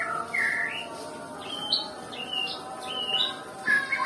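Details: Sparse song of a Nias white-rumped shama, said to seldom sing: a low drawn-out whistle, then scattered higher short notes with pauses between them, ending in a brief rich flourish.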